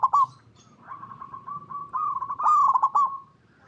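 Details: Zebra Dove lure song from a local perkutut: a short bright coo, a run of soft even coos, then a louder rolling stuttered phrase that fades away.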